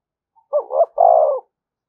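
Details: One spotted dove call uttered to challenge other doves, a low hollow double coo followed by a sustained slightly falling croo, clear with no other sounds.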